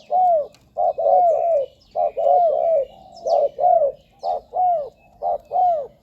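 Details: Spotted dove lure call for wild doves: a continuous run of mellow coos in pairs, a clipped note then a longer falling one, repeated roughly every second.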